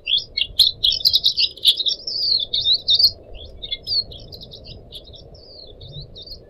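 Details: {'text': 'Captive Pied Triller delivering a long chattering warble. A fast series of twittering high notes runs for about three seconds, then breaks into scattered shorter phrases, with faint low background noise.'}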